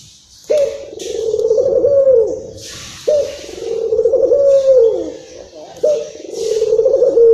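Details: Excited local Barbary dove recorded in Indonesia, used as a lure for other doves: three long, low, wavering coos, each about two seconds and ending with a downward slide, repeated roughly every two and a half seconds, with soft hissing noises between.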